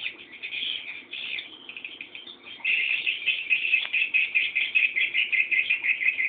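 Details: Young swiftlets begging while they wait for the parent to come home: rapid, buzzy high chirps, softer at first, then a louder pulsing run of about two and a half notes per second.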